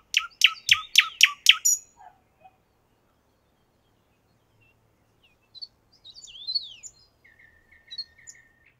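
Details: {'caption': 'Common nightingale singing in a park in Moscow, recorded with a shotgun microphone and field recorder: a rapid burst of about six loud, repeated sharp notes, then a pause, then scattered high twittering phrases and a short series of level piping notes.'}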